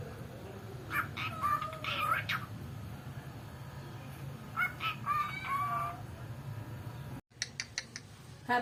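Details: Cockatiel kept as a pet, known to imitate the mother's speech and to sing, whistles short tonal phrases with slight slides, followed after a break by a few sharp clicks.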